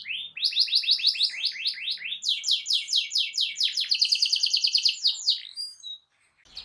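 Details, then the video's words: Canary with a loud song used to prompt other canaries. Fast runs of repeated swooping notes build into a rolled trill, then the singing stops abruptly. "GAK LAMA BAKAL NYAUT EMOSI KENARIMU DENGAN SUARA KICAU KERAS AMPUH KENARI INI"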